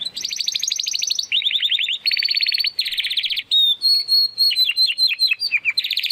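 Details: Young Spanish Timbrado canary, given to a friend, sings a chain of rapid rolling trills at changing pitches, then a clear whistle and repeated falling slurred notes.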